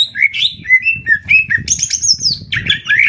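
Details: Greater green leafbird in a Banyuwangi versus Kalimantan singing contest; slurred whistles rising and falling, a sustained high note, then busy chattering phrases, over low background noise.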